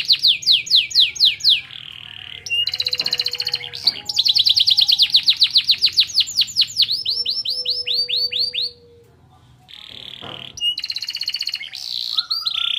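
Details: Canary delivering pleci-style (white-eye) material to raise birds' excitement: long rolling tours of rapid downslurred notes, buzzy held trills and quick rattles. Short pauses separate the phrases, and a bright trill closes the passage.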